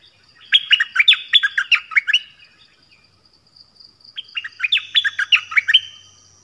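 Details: Double-style song of a nok dok taeng, played so young birds learn and sing along and to attract wild birds: two bursts of rapid, bright, descending whistled notes with a quiet gap between.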